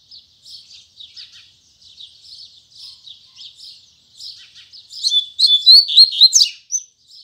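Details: A Double-collared seedeater sings its Tui Tui Zel Zel song in the morning. Quiet scratchy chirping carries on for about five seconds, then loud quick whistles and trills ring out before it ends softly.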